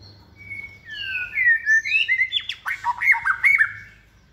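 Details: Caged second-season White-rumped shama, hand-reared and trained for contest singing. Smooth whistled notes rise and fall, then break into a fast series of sharp, bouncing whistled phrases.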